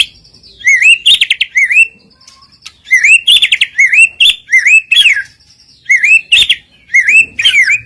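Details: White-rumped shama filler song used as a lure to make rival birds sing at once: fast series of bright, rising whistled slurs repeated in runs, interleaved with a thin sustained high whistle and brief pauses.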